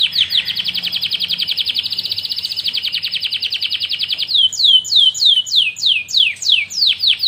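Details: Canary song to tutor other birds: a long fast rattling trill lasting about four seconds, then loud descending whistled slurs spaced about half a second apart.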